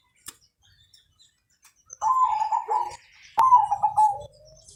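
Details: Zebra dove of Mojopahit colouring singing to set other birds singing: after near silence, two vibrating, warbled coo phrases a little over a second apart, the second ending on a lower held tone.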